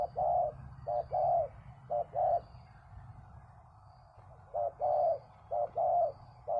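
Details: Spotted dove cooing, used in the art of luring a wild dove down to a decoy: soft, hollow, mid-pitched coos in short phrases, two quick notes then a longer drawn one, repeated with pauses, over steady low rumble.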